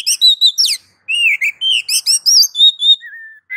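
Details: Kacer, the oriental magpie-robin, singing gacor ngeplong master song meant to provoke other kacer into song: a continuous run of varied sweet whistles, slurred upsweeps and short trills, ending in a long even whistled note.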